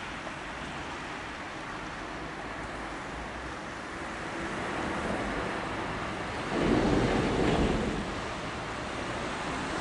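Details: Wind rushing across the microphone with a swelling gust near the end; no animal voices.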